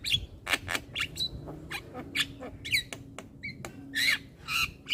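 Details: Young black-winged myna chattering without pause with head-bobbing, delivering quick harsh squawks, clicks and short whistled notes in an irregular stream, with a faint steady hum behind.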